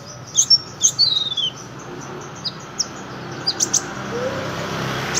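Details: Sunbird singing energetically: sharp, high-pitched chirps and a quick sliding twitter, followed by scattered single high notes and short pauses over faint background noise.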